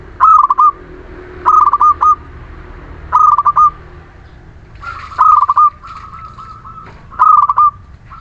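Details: Local Muria zebra dove singing constantly as encouragement for lazy birds: crisp stuttered coo bursts about every one and a half seconds. One longer phrase holds a steady rolling note.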